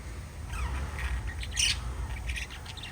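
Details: Pet lovebirds kissing and talking, giving a busy run of short scratchy chirps and thin rising notes with one louder harsh squawk in the middle, set against a steady low rumble of background noise.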